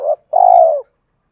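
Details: Spotted dove lure call for provoking fights and calling a mate, aimed at a reluctant wild-caught bird. One brief clipped note, then a single sustained, soft, slightly falling coo.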